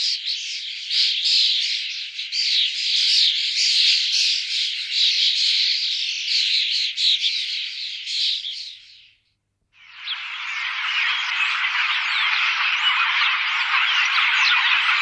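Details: Common starling recorded in 2017 near Wittlich: a dense, unbroken wall of scratchy, squeaky chatter for about nine seconds, a brief silence, then another sustained burst of massed rasping and whistling notes.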